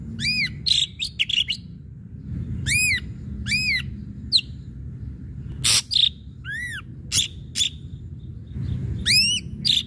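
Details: Energetic ashy drongo song meant to goad other birds into singing: varied arched, ringing whistles mixed with harsh rasping bursts and short buzzy notes, delivered in irregular phrases over a low hum.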